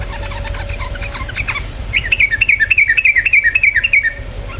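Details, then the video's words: Yellow-vented bulbul song played as a lure to start birds singing, with soft chatter first, then a fast run of bright, bubbling phrases repeated several times a second. "PANCINGAN TRUCUKAN BAHAN agar cepat bunyi"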